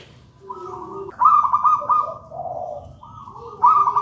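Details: Wild local zebra dove, taken from a nest in a raja banana plant, singing actively: soft rolling coos alternating low and higher notes, then a loud bubbling trilled coo phrase near the end, repeated again at the clip's close.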